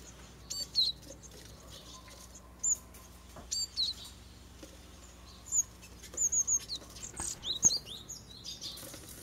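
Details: Japanese tits at fledging time from a first-year garden nest box near a mountain village, six chicks with both parents. Scattered thin high chirps, single and in short runs of three, separated by quiet gaps, calmer toward the end.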